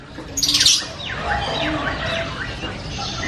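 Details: Javan myna singing loud, varied chatter: a bright high burst of notes, then a run of whistled up-and-down sweeps and slurred chirps, with steady low background hiss throughout.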